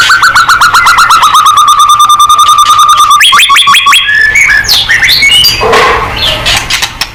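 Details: Murai batu, the white-rumped shama, singing in gacor style to prompt a reply: a long series of rapid, evenly repeated downslurred whistles, followed by a sharper trilled phrase and a jumble of varied whistles.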